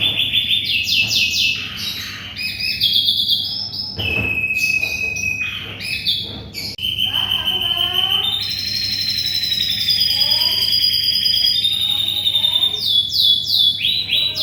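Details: Canary singing vigorously as tutor song for white-rumped shamas: varied phrases of rapid trills, sharp chirps and long held whistles, with a few lower warbled notes in the middle and a steady low hum.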